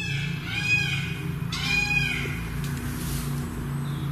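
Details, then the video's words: At night in woods at Lydiate Abbey, where about 60 peacocks live, a peacock gives two loud, wailing, cat-like squawks, each about half a second long and a second apart, over a steady low rumble. "peacocks squawking"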